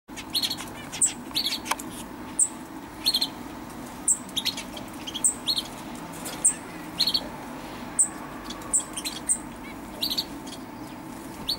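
A Common Chaffinch gives short, sharp, high chirps, roughly one or two a second, over a steady background hiss.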